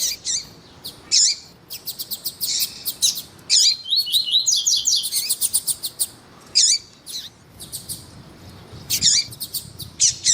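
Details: Double-collared seedeater male and calling female, sound meant to strengthen a male's song: long sequence of rapid high chirps and clicks, a brief run of rising whistles, then scattered loud hooked chirps spaced a second or two apart.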